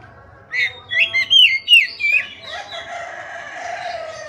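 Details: Oriental magpie-robin in energetic gacor song, used as a training recording to make silent, stressed caged birds recover and answer: a fast run of loud, clear whistled notes, some slurred downward, followed by fainter blurred chatter.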